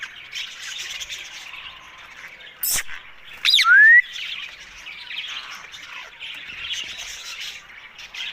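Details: Ringneck parrot vocalizing while eating: steady raspy chatter and soft squawks, broken by a couple of sharp knocks and a loud whistle that dips then rises, followed by more chattering.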